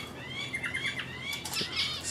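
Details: Guinea turaco, nominate race, male tending its approximately three-week-old chick, 11 August 2019, Panasonic HDC-SD60 camcorder: a short string of thin, rising whistled squeaks, clear and close.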